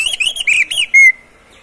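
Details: Oriental magpie-robin, a kept bird, singing to encourage other magpie-robins to sing. Four short, warbling rising-and-falling phrases end in one clear, level whistle.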